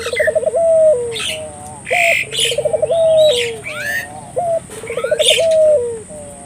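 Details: Barbary dove (burung puter) calling vigorously as a lure to prompt local doves to call: a low, rolling, trilled coo that ends in a drawn-out note, given three times, with sharp chirps from other birds and a thin, steady high hiss.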